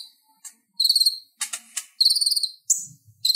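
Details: Konin, or Purple-throated sunbird, chattering as tutor song for kolibri ninja: short bright high phrases of quick stuttered notes alternate with harsh broadband rasps, against a quiet background.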